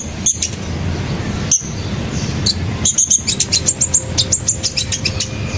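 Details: Sunbird singing in the wild: after a few sharp clicks, a rapid run of very high, thin, bright chirps tumbles along for about two seconds, each note short and piercing.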